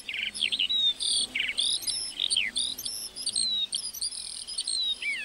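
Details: A meadow lark's song: scratchy buzzes alternating with clear slurred whistles and tumbling chirps, delivered without a break.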